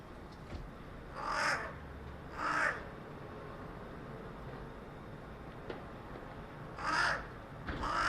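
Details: Carrion crow perched on a residential utility pole, 4 February 2021, uttering two hoarse caws, a long pause of about four seconds, then two more caws; soft background hum and a faint tick.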